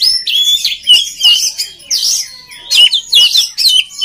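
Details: Song of an oriental magpie-robin for training other birds: loud, clear whistled phrases and swooping slurs in short bursts separated by brief gaps, with a faint steady tone underneath.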